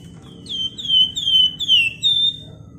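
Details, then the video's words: Flamboyan bird singing vigorously in the ngebren, nyerecet and nyiul style, used as a lure for other birds: a run of five clear, slurred whistles, each gliding down slightly, one after another over a low background hum. "Burung Flamboyan Gacor Ngebren Rapat Nyerecet Nyiul Cocok buat Pancingan"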